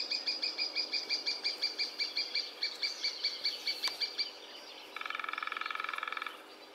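A lesser spotted woodpecker gives a long, even series of high, thin, nasal 'kee' notes, about three a second, followed by a short, rapid buzzy rattle.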